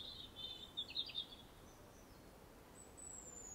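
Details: Robin in an English garden gives aggressive song: a brief, high, fast warble, then a thin, very high drawn-out note after a pause; quiet background hiss throughout.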